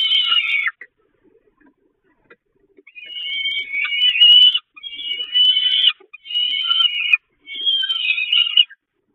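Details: Peregrine falcon feeding on the Catharinakerk nest grating, May 2021: a short harsh cry, a pause, then four long, strained wailing begging calls in a row with brief gaps between them.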